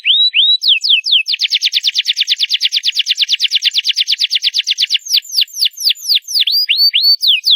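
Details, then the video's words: Canary in loud song: a few rising whistled notes lead into a long rapid series of identical clipped chirps, then slower sweeping downward whistles to close. "CANARY SINGING LOUD!!"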